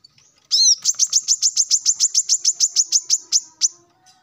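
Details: Male plain-throated sunbird in morning song to call rivals: an opening arched slurred note, then an even, rapid string of about sixteen sharp high chips lasting some three seconds.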